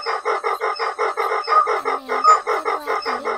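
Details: White-breasted waterhen giving a fast, steady run of harsh, nasal croaking notes, about five each second, with a faint lower hum; a recording used for luring birds into nets at night during March migration.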